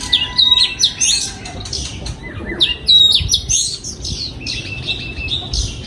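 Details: Breeding oriental magpie-robin in an aviary, 2022, repeating a phrase of sharp whistled notes and upward sweeps roughly every two to three seconds, with softer chatter between phrases.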